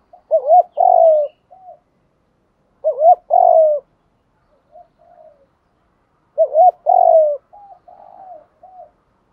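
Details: Spotted dove cooing meant for decoy training, covering both male and female birds: three loud phrases of a wavy double note and a long falling coo, each trailed by softer low coos.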